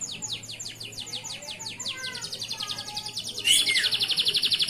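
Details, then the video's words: Local male canary singing energetically, used as tutor song for young canaries: a run of rapid descending whistled sweeps, then a fast buzzy rattling trill with a sudden brighter, louder trill near the end. "SUARA BURUNG KENARI GACOR UNTUK MASTERAN KENARI PAUD"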